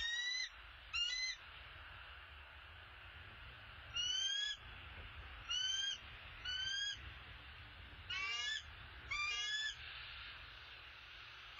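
A bald eagle gives seven bursts of thin, high, stuttering piping notes, each under half a second and spaced one to two seconds apart, over a low steady rumble.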